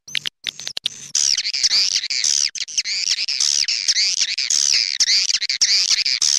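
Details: Swiftlets in an original "clop tanjung" style calling recording used by swiftlet farmers to attract birds: dense, overlapping high chirps and twittering trills, continuous and rising and falling, after a few sharp clicks at the start.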